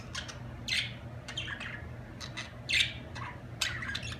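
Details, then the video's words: Budgerigar calls: a few loud, harsh squawks about every second, each followed by soft, fast chattering notes. "اجمل تغريد في العالم طيور الحب البادجي"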